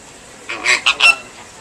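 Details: Captive American flamingo chick at Ueno Zoo, Japan, one day after hatching, hatched 7 July 2014 and recorded 8 July 2014; three short, bright calls in quick succession, the last slightly longer, over a faint background hiss.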